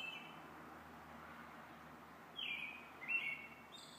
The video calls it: Robins evening song